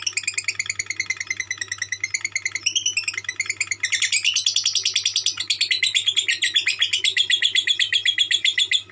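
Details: 'Konslet' song of a lovebird: dense, fast, shrill chattering that rises in pitch and grows louder about halfway through, then runs on as an unbroken stream of rapid buzzy notes, with a faint low hum underneath.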